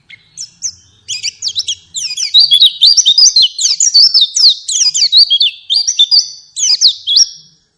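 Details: A white-eye (pleci) sings a rapid, high twittering song of thin slurred whistles and chips, jumbled and continuous for several seconds, with nothing else heard.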